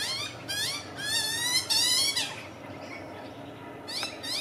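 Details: Magpie chick begging as an adult feeds it: loud, harsh, buzzy calls with many stacked overtones in quick bursts during the first half, then quieter, with one more rasping call near the end.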